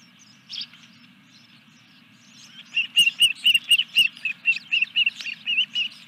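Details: Osprey at its nest at Dunrovin Ranch during a fish delivery, 14 July 2021 at 21:23. After a quiet start with one soft note, a rapid run of high, clear whistled chirps repeats about four per second, with fainter chatter behind.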